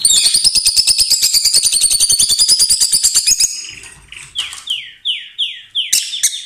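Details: Pet pair of lovebirds that kiss and exchange food: a rapid harsh ticking chatter for three seconds, followed by loud descending squeaks repeated about every half second.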